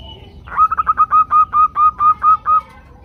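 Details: Zebra dove, female calling the male, recorded as part of a group chorus used to prompt males to sing: a rapid series of about ten short, clipped, evenly pitched notes delivered quickly over two seconds, with low background hum.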